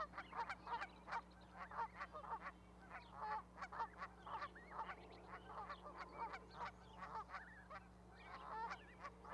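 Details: On a Charlo, Montana osprey nest platform, 12 May 2020, geese with young goslings call in a steady stream of loud, clipped honks, several per second, over a low electrical hum.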